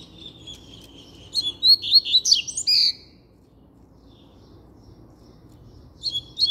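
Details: Double-collared seedeater singing firmly: a fast run of high whistled and slurred notes, rising and falling sweeps over about a second and a half, ending in a sustained buzzy note, then a pause before the next phrase begins.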